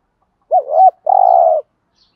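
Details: Single spotted dove coo phrase in the 'giọng thổ' voice, meant to stimulate decoy doves: a low bent two-note lead-in followed by a steady buzzy coo, with a clean, quiet background.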